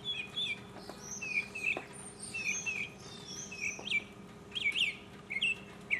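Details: Mockingbird in 2015, singing alone: a lively, varied stream of chirps, slurred whistles and sharp rising notes, changing phrase every second or so, loud and close.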